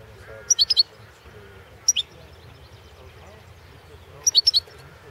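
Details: Competition recording from the 2016 World Championship in Goldfinch Song, Balkan subspecies: quick groups of three or four high, tinkling chirps, a lone double note in between, and a faint low murmur beneath.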